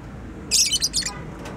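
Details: Single brief outburst from a pet bird: a tight run of several high, sharp chirps lasting about half a second, followed by quiet room noise.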